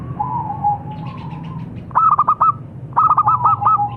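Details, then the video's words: A soft, wavering coo from a local zebra dove leads into two short bursts of clipped, ringing notes, each of about five beats. A low hum sits underneath. "Suara Burung - Perkutut Lokal"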